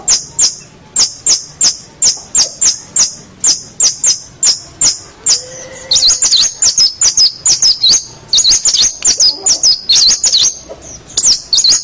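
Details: Master song of a local champion long-tailed shrike for tutoring other songbirds: a steady run of sharp, high, clipped notes about twice a second, then faster, tumbling twittered phrases of high whistles, nearly continuous.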